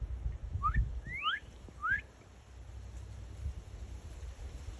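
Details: A northern cardinal sings three or four clear, rising slurred whistles in quick succession, then falls quiet, over a low background rumble.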